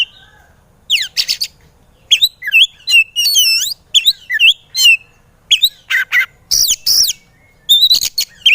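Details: White-rumped shama in a training recording for lazy singers, delivering quick varied whistles, downslurred notes, rapid trills and raspy accents after a short quiet opening.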